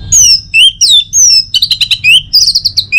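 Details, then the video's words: Loud, varied orange-headed thrush song for morning stimulation of other songbirds. Long clear whistles slide up and down, followed by a fast stuttering series of chirps and more high slurred notes. "Saatnya Buat ANIS MERAH NGEPLONG Gacor dirumah. Pancing dengan suara burung ini baik pagi hari."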